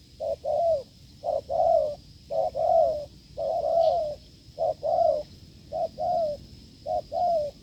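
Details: Wild field spotted dove cooing strongly during a failed decoy test: paired low notes, a short hoot then a longer slightly falling coo, repeated about once a second, over a steady high electronic whine.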